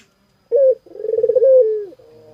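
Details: Spotted dove giving one close, clear coo phrase: a brief opening note, a pause, then a rolling, pulsing coo that slides lower and fades into a soft trailing tone.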